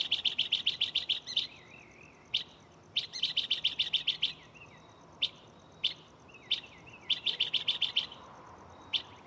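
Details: Mockingbird in a tree close by at night, mimicking a catalog of sounds: fast bursts of bright chirps alternating with wavering warbled whistles and isolated sharp single notes.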